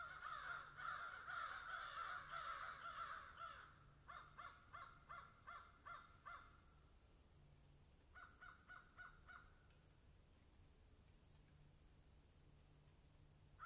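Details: Crows in a field, with a swallow and an egret present: a dense chorus of overlapping harsh caws for about four seconds, then bursts of quick repeated caws with pauses, fading to quiet background.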